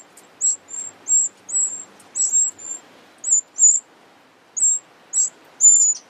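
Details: A Eurasian wren family at a large nest built under a pavilion, sheltered from wind and rain. They give very high, thin, short, slightly slurred squeaky notes, about two per second in irregular bursts, with nothing else heard.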